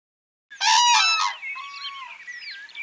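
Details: Common cranes, a herd at a village pond in Ahirauli, Kushinagar, Uttar Pradesh, India, in summer, dancing: one loud, harsh trumpeting note with rich harmonics, then fainter scattered chirps and whistles of other birds.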